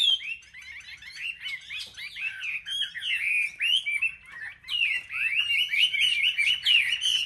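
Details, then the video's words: Competitive singing by caged Chinese hwameis from a market rack: fast, fluid whistled phrases of twisting slurred notes, rising and falling, with short breaks between bursts. "Họa mi hót đấu"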